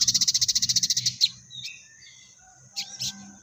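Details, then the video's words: Fast rattling trill from a crested jay, called sogon, in fighting-sparrow material. The rapid notes last just over a second, followed by a few scattered high squeaks after a short gap. "Burung Sogon Gacor Materi Full Gereja Tarung"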